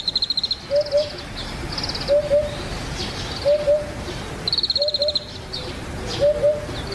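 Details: Eurasian Hoopoe, a rare vagrant near Yatsugatake, Japan: mellow low two-note hoots repeated roughly every 1.3 seconds, interleaved with another bird's high, buzzy, stuttering trills.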